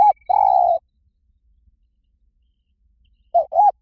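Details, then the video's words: Spotted dove in the 'liu tan' song style, played to lure a dove and train it to call back. A low, soft coo ends one phrase, then a new phrase of two short coos begins after a pause. A brief faint high trill is also heard. "สำหรับเปิดล่อนกเขาใหญ่ฝึกต่อ ให้ขันโต้ตามเสียงนกเขาใหญ่หลิ่วตัน"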